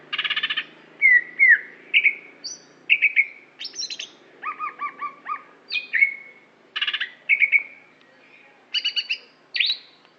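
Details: Competition-grade greater green leafbird from Aceh delivering a busy mixed song: harsh chattering bursts, clear falling whistles and repeated stacked chips in quick succession, loud and steady throughout.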